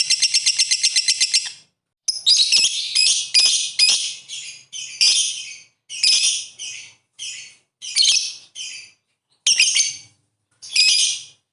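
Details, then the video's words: Lovebird calling with ngekek chatter that is said to spur rival birds to sing; a rapid high trill opens, then short harsh chattering bursts follow with brief silences between them. "suara burung Lovebird memanggil ngetik ngekek ampuh bikin lawan cepet bunyi"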